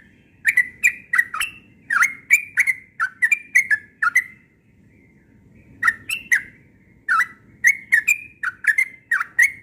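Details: Morning song of a yellow-vented bulbul: rich, gurgling notes swooping up and down, delivered in rapid phrases of five to eight notes separated by short pauses, with soft low background noise.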